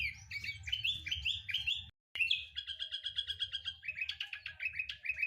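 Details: Sooty-headed bulbul lure song: bubbly, slurred whistles run together for two seconds, a short break, then a fast even trill of clipped notes easing into repeated rising whistles, with low background hum.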